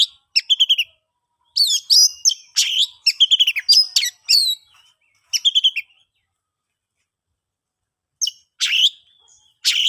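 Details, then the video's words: Oriental magpie-robin in the ngeplong singing style, meant to coax quiet birds into song: quick runs of whistled and buzzy notes, a long silent gap midway, then a few loud rasping phrases near the end. "KICAUAN ASLI KACER NGEPLONG, paling ampuh di jadikan pancingan kacer macet & bisu jadi GACOR"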